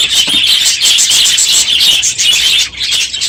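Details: Crowded aviary of budgerigars, noisier than usual on a morning at the end of the breeding season; an unbroken high, shrill babble of chirps and warbling from many birds.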